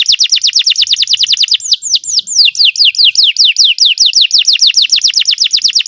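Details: Belgian canary in song, for training canaries: continuous quick series of clear, downward-sweeping whistles, briefly slowing into longer slurred notes before resuming the rapid rolling rhythm.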